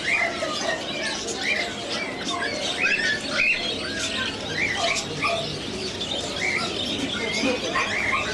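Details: Many caged Scaly-breasted munias for sale at the Sonepur Cattle Fair, Bihar, India, held in November: a dense chorus of thin, high chirps and short piping notes overlapping without pause, over a low murmur of crowd noise.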